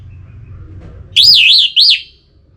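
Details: Orange-headed thrush song used to bring birds into singing: a loud, pure whistle that wavers up and down in smooth waves, a short pause, then one more rising and falling whistled note.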